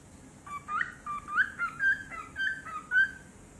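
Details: Pet cockatiel guarding its toys, giving a run of short, bright chirps that rise and fall, about eight notes in quick uneven succession over three seconds in a quiet room.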